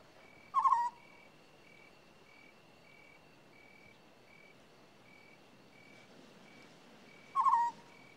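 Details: African scops owl: two short, purring, buzzy notes about seven seconds apart, over a steady background of insects pulsing in regular beats.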